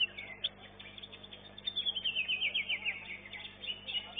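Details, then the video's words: Contest greater green leafbird, caged, in a singing competition's elite class where it took second place; a run of quick, looping high whistled notes, steady and bright, over a background of other chattering birds. "KELAS KE 1 CUCAK IJO ELITE A"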